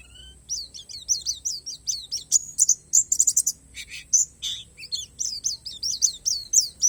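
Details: Isian alam song of a Borneo palas Oriental white-eye: a lively, uneven chatter of high sliding chirps, several buzzy rattling bursts in the middle, then more downslurred chirps, with a steady thin whine beneath.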